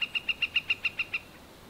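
A Northern Flicker gives a quick, even series of nine loud, ringing 'wik' notes, about seven per second, over a quiet background.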